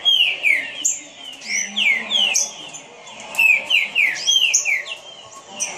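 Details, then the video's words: Rapid whistled phrases from a caged green-winged saltator, each note slurring downward, repeated several times a second with short pauses, plus thin high calls from other birds. "Trinca Ferro rapido"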